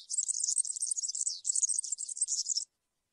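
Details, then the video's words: European serin, field-style song for young birds to learn from: a dense, sibilant, jingling trill of about two and a half seconds with a brief break midway, then quiet. "𝗩𝗘𝗥𝗗𝗘𝗖𝗜𝗟𝗟𝗢 𝗖𝗔𝗡𝗧𝗔𝗡𝗗𝗢 𝗖𝗔𝗠𝗣𝗘𝗥𝗢"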